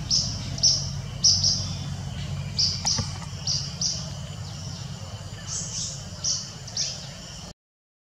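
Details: Chestnut-bellied (Indian) nuthatch, Sitta castanea, in Kanha National Park, Madhya Pradesh, India, calling: short, high, sharp notes, singly and in pairs, at an irregular pace, over a low rumble of background noise.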